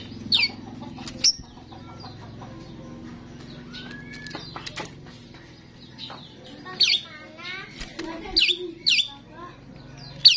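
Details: Chatty starling recorded to lure other starlings: repeated sharp, squealing high notes and rasping bursts scattered through the stretch, some in quick pairs, with flutter-like clicks and a low background hum.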